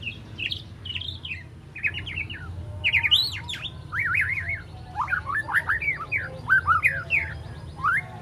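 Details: Three-month-old spotted juvenile white-rumped shama learning its song, delivering sharp varied whistled phrases, rising and falling slurs and quick chips in uneven bursts, over a constant low background hum.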